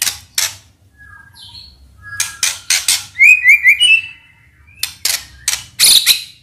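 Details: White-rumped shama singing an energetic, varied phrase used to provoke other birds to sing: sharp broadband clicks and chips mixed with a short run of rising whistled notes and buzzy bursts.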